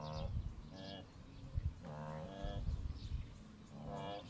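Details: A male kori bustard, puffed up in courtship display in the southern Serengeti, Tanzania, gives deep, low booming pulses under brighter harmonic hooting notes recurring every second or so, in a quiet outdoor setting.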